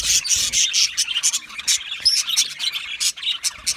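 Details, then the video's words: Budgerigars in an aviary trading quick, high chirps and short whistled notes, a lively overlapping chatter with brief gaps. "Budgie parrot chirping sounds"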